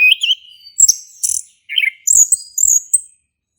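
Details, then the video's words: Male orange-headed thrush song meant to stimulate a silent bird: separated bursts of high whistles, a buzzy harsh note and a brief low warble, with short gaps between phrases. "Anis Kembang Jantan Gacor buat pancingan anis kembang macet bunyi"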